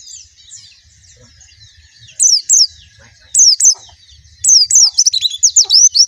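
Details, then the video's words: White-eye singing: after a quiet start, bursts of high, sharp chirps and quick descending whistled notes in short clusters, with a faint low hum underneath. "suara burung plecci"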